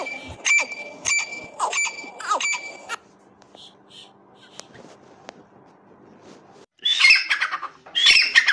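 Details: Francolin calls played so male and female voices can be compared: loud, shrill whistled calls, about five ringing notes in under three seconds, then a quiet gap and harsh, scratchy squawking bursts.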